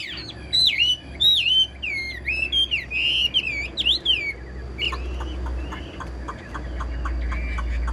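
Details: Caged Chinese hwamei singing well: loud, clear whistled phrases sliding up and down, each note bending and looping, delivered in quick bursts for about four seconds, then softer, thinner notes trailing off over a low background hum.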